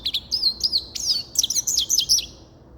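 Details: Quick, sweet twittering of a grey-crowned goldfinch: a string of high, wavering chirps repeated rapidly over about two seconds.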